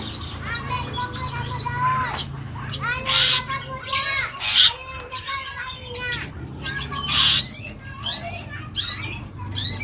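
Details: A young long-tailed shrike sings a rich, continuous 'full isian' song of rapid stacked chattering notes, whistled slurs and harsh bursts, packed closely across the phrase, with a low droning hum in the background.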